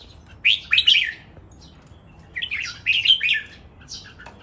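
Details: Caged red-whiskered bulbuls in a three-bird song contest, a lively master training song in the 'ricbel' counted-phrase style: two bright warbled phrases of quick slurred whistles, each about a second long, separated by a pause.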